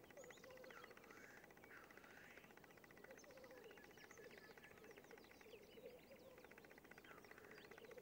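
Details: Black grouse at a lek give a steady, low, dove-like bubbling chorus that rolls on without pause, with higher whistled and hissing notes from other birds over it.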